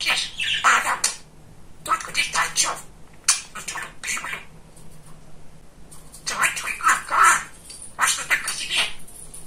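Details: Pet male budgerigar, described as very chatty, babbling mimicked words in clipped high-pitched phrases, with a clear gap of quiet midway before another rapid scratchy burst of chatter.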